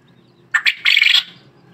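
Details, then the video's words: White quail call: two short sharp notes followed by a longer harsh, buzzy rattling phrase lasting under half a second, loud and close, against a quiet low hum. "White Quail voice/Sufaid batair ki awaz"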